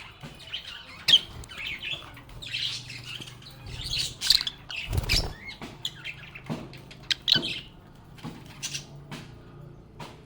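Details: Lovebirds chirping while they play, with scattered bursts of high, scratchy twittering and sharp single chirps, separated by soft thumps and clicks, and quiet gaps between phrases.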